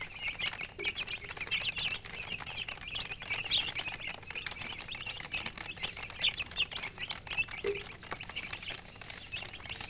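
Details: Baby chicken chicks chirping: a dense, continuous chorus of many high, thin peeping notes overlapping rapidly throughout, with occasional soft lower clucks and light rustling.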